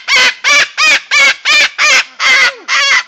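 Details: White cockatoo in Hilo, Hawaii, screaming loudly and going crazy: eight harsh, raspy, broadband screeches in a steady run, roughly three each second, all at the same piercing strength, nothing else audible between them.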